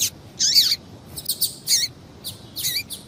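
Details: Female double-collared seedeater calling to make males sing: loud, closely spaced high chirps with dipping and rising slurred shapes, several in quick succession, over low background hiss.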